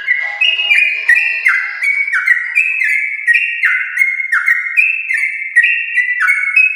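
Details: Champion-line yellow-vented bulbul singing a long, nonstop, rapid song meant to coax pet bulbuls at home into song; looping whistles jump between two pitch levels, sprinkled with sharp ticks.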